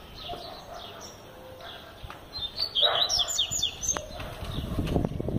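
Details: Double-collared seedeater, a bird said to sing all year round, giving a burst of high twittering, warbled notes for about a second and a half midway, over low rumbling background noise.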